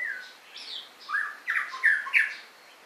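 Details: White-rumped shama giving a rapid string of mixed notes, from down-slurred whistles to rough, squawky bursts, each loud and short, over about three seconds.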